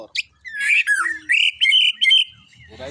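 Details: White-rumped shama delivering loud, ringing whistled and buzzy phrases in quick succession, with a sharp note before and faint low sounds at the close.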